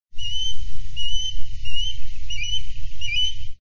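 Osprey giving a string of short, high whistled notes, about three a second, some rising at the end, over a steady low rumble of wind.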